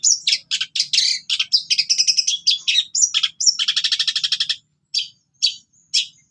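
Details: Long-tailed shrike in energetic song with mimicry, kept as a tutor recording for other shrikes: varied sharp chirps, then a fast buzzy rattle, ending in a few spaced high notes.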